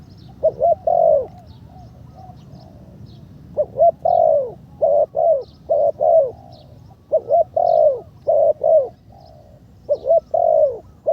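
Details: Ground decoy spotted dove at its third training session, calling much better: bursts of mellow, low coos in pairs and triplets, steady and repeated throughout, with faint high chirps from other birds.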